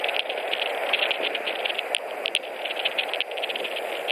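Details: A white-tailed eagle pair at their nest in Latvia, 21 March 2018, carrying hay before mating; quick series of sharp, repeated yelps, several per second, above a steady noisy rush.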